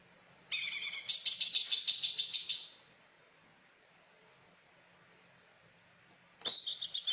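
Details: Cucak ijo producing a long, dense, buzzy chatter of very high notes for about two seconds, followed by silence and then a bright, high phrase.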